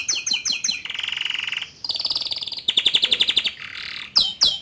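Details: Canary song from a young male, aimed at getting a juvenile to sing: quick falling notes, then alternating buzzy trills and higher pulsed tours, ending with two loud sweeps.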